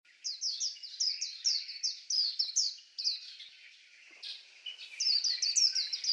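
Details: White-eye song: fast runs of high, thin, downslurred whistled notes, about two per second, in a long twittering phrase that pauses briefly near the fourth second and then resumes.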